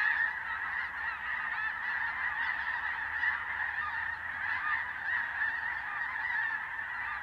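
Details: Snow geese, white and blue forms together, migrating at dusk: a dense, unbroken din of many overlapping nasal honks and yelps from a large flock, steady throughout.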